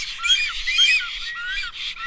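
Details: Black stork chicks begging while being fed by a parent, Kamenice, 2021: a dense, continuous chorus of high, squeaky, wheezing calls that overlap and waver in pitch, with no other clear sounds.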